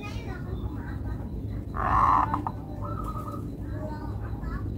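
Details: Local zebra dove with melodious rhythm, giving a loud, rolling, burbled coo phrase followed by a softer run of quick notes, with low hum and some faint voices in the background.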